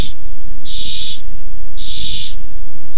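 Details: Two long, steamy hissing screeches from barn owls in a food fight over a tiny mouse, 6-4-15, each lasting about half a second, about one second apart.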